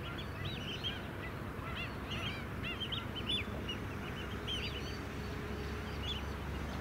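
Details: Flock of White-headed stilts on Queensland mudflats at Scarborough in July. Clusters of short, yapping, arched notes from many birds come in quick bursts over low rumbling background noise.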